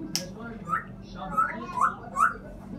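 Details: African grey parrot uttering a sharp high click, then four short whistled notes at about half-second spacing, each a brief upward or downward inflection, over low chatter.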